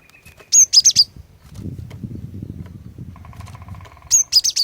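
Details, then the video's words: Female cinereous tit's lure song, meant to prompt males to sing: two clusters of four piercing high whistled notes, separated by low rumbling background noise and a faint steady mid-pitched hum. "Kicauan Glatik Betina Pikat Gacor, Cepat Bikin Glatik Jantan Ikut Bunyi Gacor"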